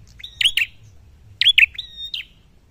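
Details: Prinia, locally prenjak pala merah, singing to find a rival: two loud high chips, a pause, then a further chip pair with level thin whistles trailing after.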